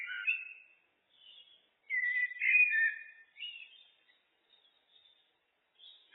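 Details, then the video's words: Song of a common blackbird (Turdus merula): a mellow whistled phrase at the start, a pause, then a louder rolling fluted warble trailing into faint high chatter. "Blackbird, Turdus merula, birds (looped)"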